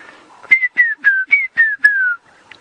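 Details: Red-chested cuckoo calling in the background at sunset in Djuma Game Reserve in January: two quick phrases of three loud, clear whistled notes, each note slurring downward and each phrase stepping lower in pitch.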